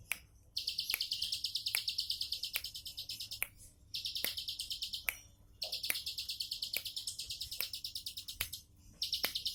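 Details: Bar-winged prinia singing in a relaxed 'tembakan' style: bursts of rapid, high, buzzy trilled notes lasting two to three seconds, separated by brief pauses, with sharp clicks throughout and a faint steady hum beneath.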